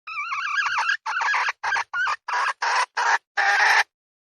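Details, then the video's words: Red junglefowl calling: a wavering harmonic opening phrase followed by seven harsh, buzzy bursts, each about a third of a second long, with short gaps between them. "เสียงไก่ป่า ສຽງໄກ່ປ່າໄກ່ຕໍ່"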